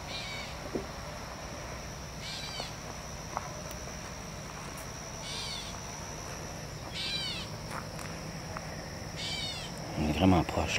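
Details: A Gray Catbird near a pond full of leopard frogs in Canada gives nasal, cat-like mewing calls, repeated about every two seconds.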